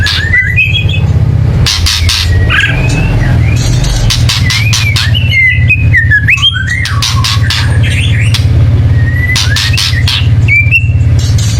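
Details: Agitated white-rumped shama chatter meant to prompt birds to sing: repeated rattling bursts and twisting whistled notes over a loud continuous low hum.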